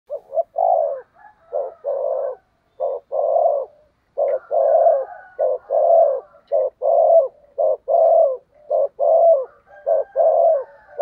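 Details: Decoy spotted dove used to lure wild doves, giving the urgent 'thúc gù' coo style: low, throaty paired coos repeated almost continuously, about fifty a minute, with a faint higher bird note in the background.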